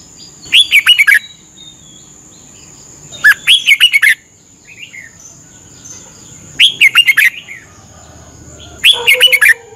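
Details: Caged red-whiskered bulbul from Thailand in a 30-minute morning training session, singing short bright phrases of warbled, slurred whistles, each burst under a second, repeated about every two to three seconds with a steady background tone.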